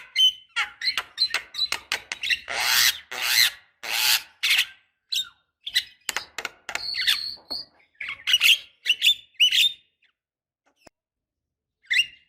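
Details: Javan myna lure sound to draw young birds, a female calling to males: rapid squeaky and harsh chattering notes, some bursts noisy and broadband, with a few short whistles, fading to scattered chirps near the end.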